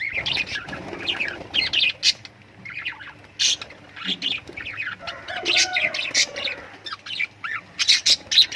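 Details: Busy lovebird chatter: overlapping high chirps, harsh squeaks and buzzy notes almost without pause, with occasional sharp loud peaks.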